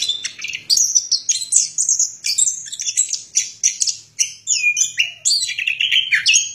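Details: Rapid, varied high song of an orange-headed thrush: sharp chirps and whistled notes delivered in fast strings, ending with lower downslurred whistles.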